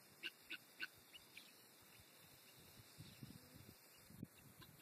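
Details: Guineafowl running around in a field, 16 March 2012, giving three quick, harsh, nasal calls, then low rumbling and a steady high whine.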